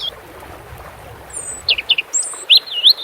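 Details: European robin song against flowing water: a quick string of varied notes with high thin whistles, short descending slurs and a wavering warble at the end.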